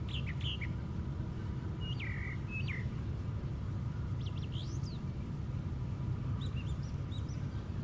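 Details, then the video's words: High in a white pine tree, a brown thrasher sings spaced phrases of sharp chips and falling slurred whistles, some repeated twice, with gaps between them and a constant low rumble behind. "Brown Thrasher Singing at Top of Pine Tree"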